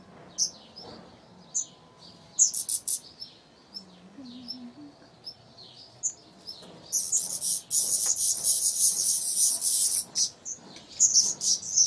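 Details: Tree pipit that nested on a terrace and raised four chicks in the 2016 summer season. High, sharp chirps and short twittering notes come in scattered bursts, and a dense, hissing high buzz runs for about three seconds midway.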